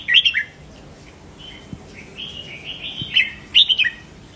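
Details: Red-whiskered bulbul kept in a cage, singing to stimulate other caged bulbuls: clear chirpy phrases at the start and end, with softer drawn-out warbling notes between them.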